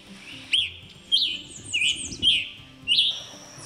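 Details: Scarlet Tanager in the Carolina Crescent giving its 'chipper' call, not its song. Five short, burry, husky notes, each slurred and roughly two-parted, spaced about every half second against a soft background.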